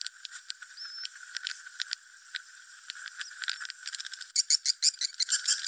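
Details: Swiftlet lure call for roosting: rapid, irregular ticks and clicks, about three each second, a brief rising whistle early on, and a louder burst of chattering at the end.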